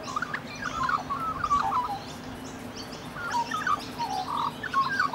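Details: Rainbow lorikeets in Australia, a bonded pair lovingly preening each other, trading busy squeaky twitters and short buzzy notes in two clusters, a brief harsher burst near the end, over faint background hum.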